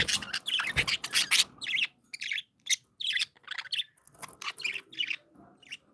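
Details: Several happy pet budgies chirp and warble nonstop, harsh scratchy notes and sharp high tweets tumbling in rapid irregular phrases, loudest in the first two seconds, then softer chattering bursts.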